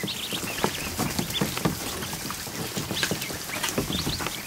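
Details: A crowd of more than one hundred just-hatched ducklings swimming in a kiddie pool inside a barn, afternoon; thin high peeps rise and fall rapidly over busy pattering splashes and paddling water.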